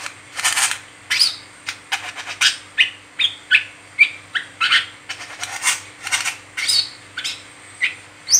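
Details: Kolibri kelapa, or brown-throated sunbird, gives a lively 'ngeriwik teler' song meant as a training lure for other wiceh; dense run of bright high chirps and brief rising notes, roughly three or four per second.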